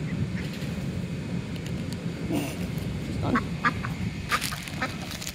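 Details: Female Pekin duck begging for food: a handful of short, thin, squeaky calls scattered through the second half, some with rising inflection, over a steady low rumble of background noise.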